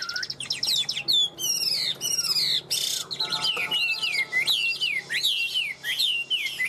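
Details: Tame caged Chinese hwamei with yellow legs and bill, kept over two years in a cage, sings a rich run of loud slurred whistles and rising-falling phrases, with a brief harsh burst midway, then repeated looping notes.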